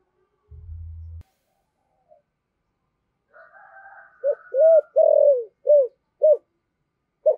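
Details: A low hum at the start, then a faint whistled tone, before a decoy spotted dove of 'giọng thổ' voice breaks into a phrase of arched coos. The phrase has one long falling coo and trails off into single coos.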